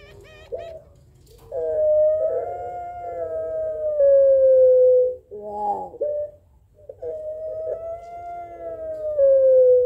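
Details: Barbary dove of the puter pelung type answering a rival: long drawn, steady mid-pitched coos lasting about three seconds, sliding slightly down at the end, separated by a short wavering burst.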